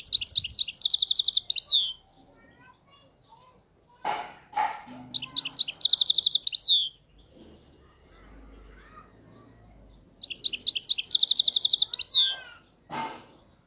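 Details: European goldfinch in wild song, bursts of quick bright twittering trills about two seconds long, separated by pauses with brief low knocks and soft background noise.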